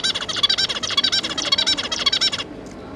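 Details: Zebra finch family, two parents with three juveniles, recorded 5 August 2022: a dense run of nasal, buzzy, harmonic-rich calls tumbling rapidly for over two seconds, then stopping abruptly.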